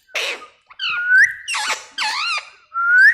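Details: Pet parrot talking, said to say "mitthu" in a very clear voice: a few short voice-like phrases with wavering tones, joined by thin whistles that rise sharply at the end. The setting sounds like a small room.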